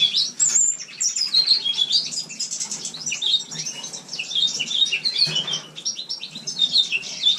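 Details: A captive male house finch sings indoors in a shared room in winter: a long, rambling warble of high, quick notes and buzzy slurs, flowing almost without pause for seven seconds.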